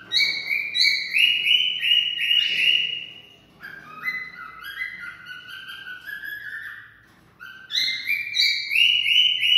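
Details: Mating-stimulation song of a cockatiel: clear whistled melody of held notes rising in steps, a slower descending passage, then the rising whistled phrase again.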